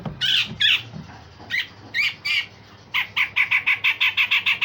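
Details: Singing grey-cheeked bulbul delivering rough 'besetan' and sharp 'tembakan' phrases: two loud harsh squawks, several separate grating notes, then a rapid even burst of around ten buzzy shots.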